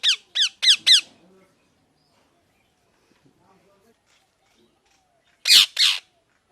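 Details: Pet parrot opening with four quick, harsh, down-slurred squawks, then a long quiet stretch with faint soft sounds, ending with two broader, noisier screeching calls.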